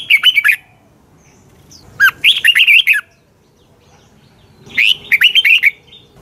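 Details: Red-whiskered bulbul, morning song used to train caged bulbuls: three phrases of fast, liquid whistled notes, each lasting about a second, spaced roughly two seconds apart.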